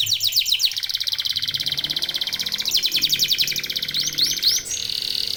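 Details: Local canary pouring out dense song to get other canaries singing: rapid pulsed trills and rolling high phrases with quick sweeping notes, barely pausing throughout.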